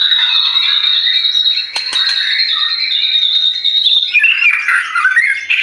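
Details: A singing white-rumped shama, used as a lure recording: a long high whistled tone runs under busy warbling, then turns into a burst of rapid, varied notes at the end.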